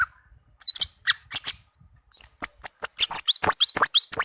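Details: Orange-headed thrush, a tame cage bird, in melodious song: a few separate sharp notes, then an unbroken rush of high twittering chirps and whistled slurs, rapid and rich.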